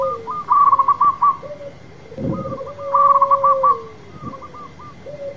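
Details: Local zebra dove, a strong singer in full song, giving repeated phrases of a mellow cooing note followed by a rapid, even series of clear higher coos, about every three seconds, with a low background hum.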